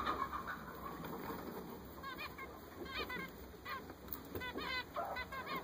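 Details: Newly purchased zebra finches give short nasal, trumpet-like beeps in quick clusters after a quiet start, over a steady high electrical whine and faint room noise.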